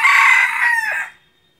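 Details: A single hoarse crow from a decoy junglefowl used for hunting, lasting just over a second, level at first and then trailing off and fading into silence.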